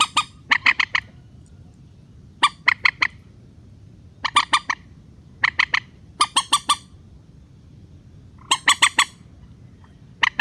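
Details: Rail lure call for drawing birds down to nets: brisk groups of three or four harsh, rasping squawks, repeated roughly every second or two, over a soft low hum.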